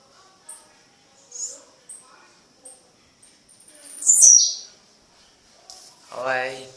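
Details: Night-time song of a blue-black grassquit in Fragoso, Magé, Rio de Janeiro: short high notes repeated at roughly half-second intervals, then a loud sharp buzzy burst, followed by a lower harmonic sound near the end.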